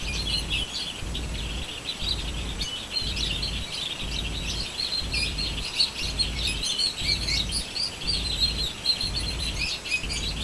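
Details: Continuous high, busy twittering from birds, many quick chirps overlapping without a clear rhythm, over a constant low droning background hum.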